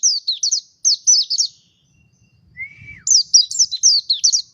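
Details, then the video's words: A Mountain White-eye sings fast, very high twittering phrases of slurred chirps; after a short pause comes a lower, rising-then-falling whistle, then another quick burst of twitters. "Ngalas Pleci Montanus // White eye bird Singing"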